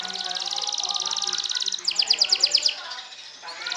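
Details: Canary, a sobek champion, trilling to subdue and anger rivals: a fast even high trill runs for nearly two seconds, then breaks into a slower series of loud bright pulsed notes before a brief pause.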